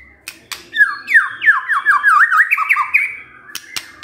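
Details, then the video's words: White-rumped shama singing as a lure to stir a male into song: a rapid sequence of looping whistled notes sliding up and down, about a dozen in quick succession, with clicks around them. "PANCINGAN MURAI BATU GACOR"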